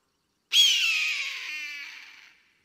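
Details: Eagle hunting and flying in the sky, giving a single harsh, drawn-out scream lasting about two seconds that starts loud and shrill, then slowly fades and falls slightly in pitch, with no other sounds.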